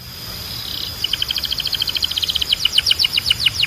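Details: Belgian canary singing to stimulate other canaries: a short buzzy roll, then a steady run of quick repeated bright notes that become slurred, with a faint hiss behind.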